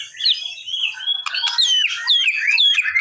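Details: A white-rumped shama sings to draw a response from a reluctant bird, with thin high whistles sliding up and down and a sudden scratchy note, in a continuous run.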